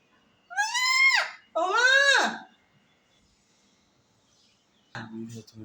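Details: Parrot talking with its owner: two loud, harmonic, speech-like syllables in quick succession, falling in pitch, followed by silence and a short low muffled sound.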